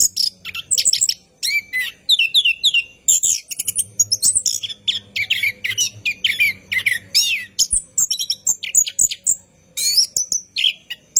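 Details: A cage-training lure of an orange-headed thrush singing at night: a long, unbroken stream of sharp, high chips, buzzy trills and whistled phrases, rapid and energetic throughout.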